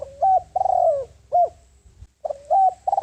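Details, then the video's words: Spotted dove used as a lure for wild birds, cooing in quick succession: short lead note, level rising coo, long falling coo, then a sharp hooked note, the phrase starting again; soft low rumble underneath. "Tiếng Chim Cu Gáy Mồi Đất Gáy Gọi Bổi, Chiêu Bổi - kích chim về nhanh"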